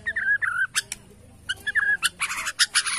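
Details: Competitive song of a Bornean white-rumped shama in bowing style, aimed at provoking rivals: mellow slurred whistles broken by sharp clicks, then a dense burst of rasping, noisy notes.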